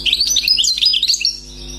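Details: Newly caught wild European goldfinch pours out a quick, continuous stream of high, tinkling and warbling notes for over a second, then falls silent, with a low steady hum behind it.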